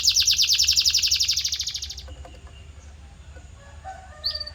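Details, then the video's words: Canary tutor audio for training song: two seconds of loud, fast, regular high trill, then it fades to near quiet with faint scattered notes and a short high chirp at the end. "Special Audio to Shape Your Canary's Voice Character"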